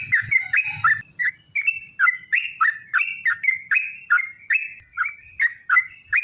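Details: Sooty-headed bulbul, long 'ropel' song used to draw other bulbuls into singing; clear bubbly whistled phrases, rising and dipping, repeated about twice a second in a quiet setting.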